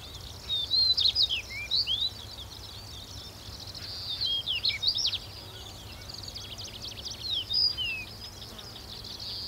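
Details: Stonechat voice from Wakka Natural Flower Garden, a fast jumble of squeaky whistles and dry chattering notes given in tight bursts every second or two, with faint low hum beneath.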